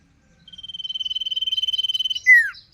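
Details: Sirpu song: a rapid pulsing trill held level for nearly two seconds, then closed by a loud falling whistled slur.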